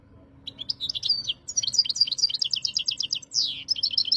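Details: Goldfinch song from Jijel, Algeria, a fast bright chatter of high liquid notes and rattling trills, with a quick descending sweep near the end, then more rapid twitters; a quiet low hum sits underneath.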